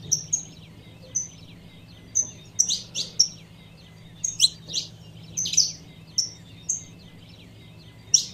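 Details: Calling female saffron finch, used to excite the male: short level whistled peeps mixed with rasping chips, spaced unevenly, a low steady hum behind.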